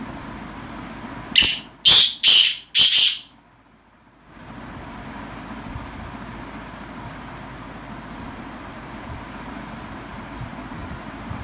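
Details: Black francolin kept in a decorated cage gives four loud, harsh, grating notes in quick succession, then a brief silence and a steady background hiss and rumble.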